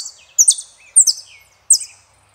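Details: Saffron finch, Argentina, El peregrino song: three short bursts of high, falling double chirps separated by brief pauses.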